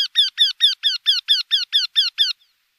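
A Eurasian wryneck gives a quick run of about twelve nasal, slightly falling 'quee' notes, five per second, against a quiet background.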